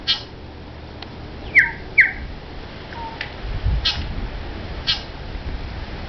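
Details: A male New Zealand bellbird courting a female perched just above him gives two loud, falling, slurred notes about half a second apart, with faint clicks and a low rumble; Port Hills near Christchurch, New Zealand, 14 September 2011.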